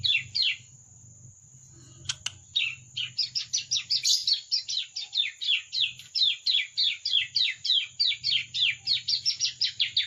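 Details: A juvenile bar-winged prinia practising its song gives a long run of sharp, high, downward-sweeping chirps, about three a second, fairly even after a brief pause with two clicks, above a soft low rumble and a thin constant high whine.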